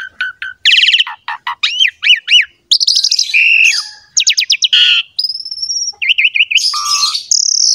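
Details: Full varied song of a Javan pied myna, used as a training recording for other mynas: clipped chirps, rising looped whistles, harsh buzzy phrases, a thin high drawn-out whistle and wavering notes.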